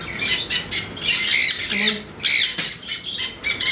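A grey parrot gives a run of harsh, raspy squawks and bursts of mimicked speech, rising and falling in quick succession with a short low-voiced phrase in the middle.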